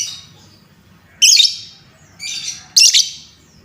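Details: Shrill lovebird chirps used to excite untrained young lovebirds: three loud, buzzy high squawks in quick succession against a quiet background.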